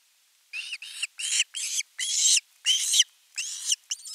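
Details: Osprey at a nest on 10 August 2021, calling long for fish: a string of eight harsh, drawn-out squealing calls, some short and some longer, rising in intensity with brief gaps between.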